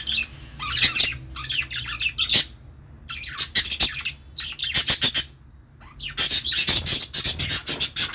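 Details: Budgies chattering loudly with high, buzzy chirps and squawks in dense bursts separated by brief pauses.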